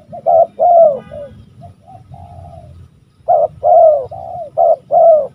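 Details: Old spotted dove with a deep, hoarse voice, cooing in low, mellow repeated notes: a run of three coos, a softer drawn-out pause, then a firm four-note cooing phrase, with faint low background rumble.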